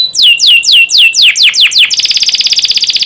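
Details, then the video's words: Canary song used as a training recording to get young canaries singing well: loud descending whistled slurs repeated about three per second, then a fast high pulsed trill. "Masteran burung kenari paud biar gacor"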